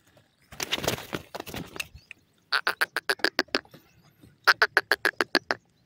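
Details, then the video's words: Grey francolin, a Sindhi teetar, while feeding: a noisy rustling burst, then two fast trains of sharp clicking notes, about eight to ten notes each. "partridge bird songs"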